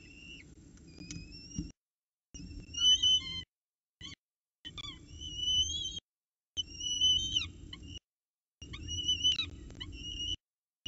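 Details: Peregrine falcons at a nest at Orange CSU around 7 am on 26 October 2019, male arriving with breakfast and female feeding the chicks; high, thin squealing calls with rich overtones, in short bursts separated by gaps, over a low rumbling background.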